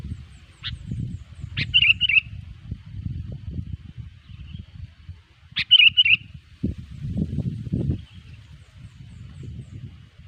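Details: Sooty-headed bulbul lure song for trapping bulbuls: a lone sharp note, then two short bubbly whistled phrases roughly four seconds apart, against loud rumbling low background noise.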